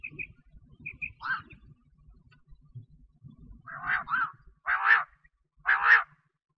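A female common quail gives harsh, rasping notes about once a second, with a few faint high paired chips early on and a low rumbling background.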